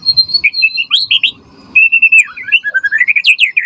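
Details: A white-rumped shama gives whistled tutor and lure song meant to draw an answer from other shamas: a sustained high whistle, brief pause, then fluid warbling phrases rising and falling in quick succession.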